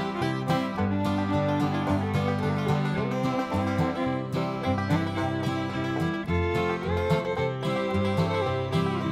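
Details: Steady instrumental country-style music fills the whole stretch, with plucked guitar and banjo-like strings and fiddle, and no animal voice is heard.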